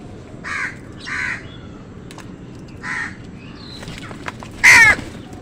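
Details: Crows and wild birds fighting over food: several short hoarse caws, then a loud shrill squawk near the end, with scattered chirps and clicks around them.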